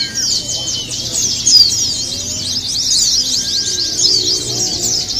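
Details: Contest-style chorus of Javan white-eyes: unbroken, very high chattering trills from many birds at once, bright and busy throughout.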